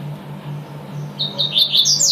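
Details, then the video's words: Double-collared seedeater in tui-tui style: after a second of low humming background, a phrase begins with short high notes and climbs into quick, sharp whistled notes. "coleiro tuitui"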